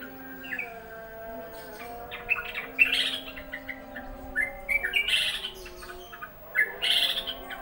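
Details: Wild Yellow-vented Bulbul that turned up while laundry was being hung out to dry: bubbly, gurgling phrases of quick liquid notes, about three bursts a few seconds apart, over steady low droning tones.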